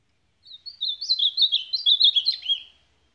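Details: A longer supapo song of an ultramarine grosbeak: about two seconds of quick, warbled whistled notes in steady succession, ending in a downward slur, background silent.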